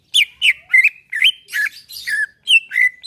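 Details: Relaxed song of a greater green leafbird used to get caged birds singing: varied slurred whistles and buzzier falling notes, delivered rapidly with short gaps.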